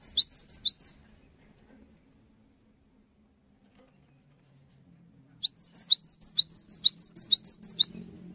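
Cinereous tit giving fast, high, wavering chirps in two bursts, about two per second, with a pause between; a faint low hum underneath.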